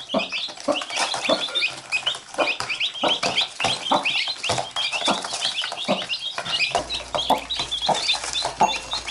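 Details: A mother hen with chicks that keep biting her while she picks them up. Constant overlapping high peeping from many chicks, each note a quick falling slur, over soft rustling and pecking taps.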